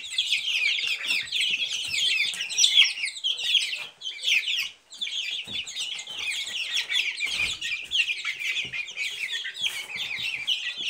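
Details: Silkie chicken chicks giving a dense, continuous chorus of high, shrill peeps, many overlapping chirps with a brief dip in the calling around four to five seconds.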